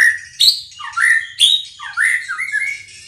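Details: Loud, lively song of a white-rumped shama arranging its phrases: rich slurred whistles that dip and rise, sharp high accents at intervals and a short rising run at the close.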